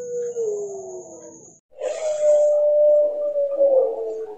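A Barbary dove gives a low, falling coo, then a long drawn-out steady coo of about two and a half seconds that dips at the end.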